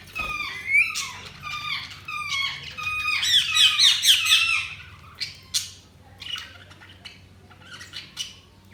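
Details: Budgerigar warbling with a run of falling, harmonic-rich whistled notes about once a second, then a dense buzzy chatter, ending in sparse sharp chirps.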